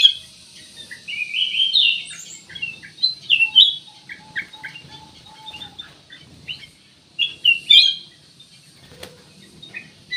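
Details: Black-crested bulbul chattering in quick slurred notes and short chirps, with a soft steady piping tone repeated in the background and a sharp click near the end.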